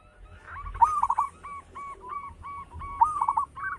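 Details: Singing local zebra dove with a big, rich voice; two bubbling rolled phrases each followed by a run of repeated short hollow coos, roughly five or six in a row.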